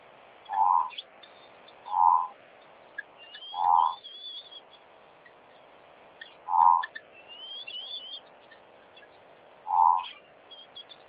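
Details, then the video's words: Tropical boubou at a wildlife waterhole in Botswana giving five low, hollow, fluty hoots spaced a few seconds apart, with thin higher whistles from other birds in the background. "Tropical Boubou"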